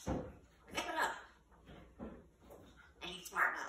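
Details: Pet African grey parrot, 21 years old, talking indoors at night to tell an owner to be quiet and go to bed. Several short speech-like phrases of a few syllables, with a bright, breathy final word.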